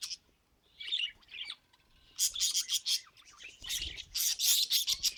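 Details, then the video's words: Budgies kept as pets: a few soft warbles, a short pause, then a loud burst of rapid, scratchy chirps and chattering notes packed closely together. "Funny Budgie Sounds"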